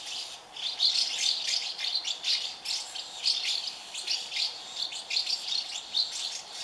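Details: House martin (Delichon urbicum) chicks begging in a colony of thirty nests as parents feed them; a constant high twittering chorus of thin chirps, pulsing several times per second, fills the whole stretch.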